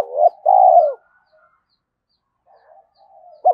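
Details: Tail of a spotted dove phrase, a short note and a long dipping coo, then near-silence with soft faint sounds before another phrase starts; used to urge decoy doves to coo.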